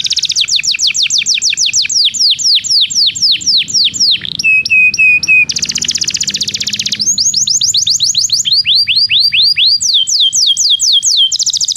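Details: Belgian canary song for training silent canaries: long runs of rapid downward-swept whistles, a short section of clipped tonal notes, a harsh buzzy roll, then more quick sweeping phrases at varied pitches.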